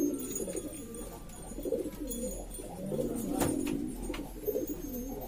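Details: Noisy flock of domestic pigeons of various breeds from East Lombok, Indonesia, kept by bird hobbyists; overlapping low, throaty cooing rolls on continuously, with a loud thump near the middle and scattered clicks.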